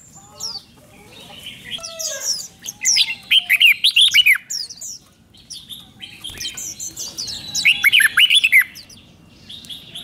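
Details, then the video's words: Red-whiskered bulbul in Thailand delivering two rich whistled five-syllable phrases, doubled style, about four seconds apart, amid softer chirps and twitters from other birds in the background. "เสียงนกกรงหัวจุกเบิ้ล2 เบิ้ล3 เพลง 5 พยางค์"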